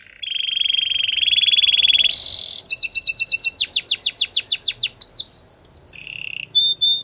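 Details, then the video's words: A Belgian singing canary runs through a rattling trill, a brief harsher burst, then a long series of loud, rapid downward-swept whistles speeding up, ending with a lower trill and a short high phrase; light background noise. "A special canary to seduce all the canaries - The belgian singing canary"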